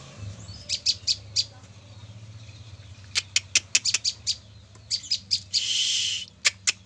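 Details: Female olive-backed tailorbird, caught three days earlier, delivering bursts of sharp high chipping notes in irregular groups, interrupted by a short loud rustling noise, with faint low hum.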